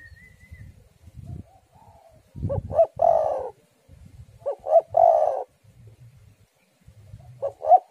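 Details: Spotted dove song intended as a lure to make doves sing: three repeated phrases of short rising notes ending in a rolling, throaty coo, separated by pauses with soft low wind noise.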